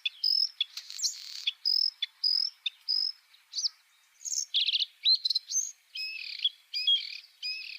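A Bluethroat sings a fast, varied string of high, ringing and buzzy notes, with twangy trills and short gaps between phrases.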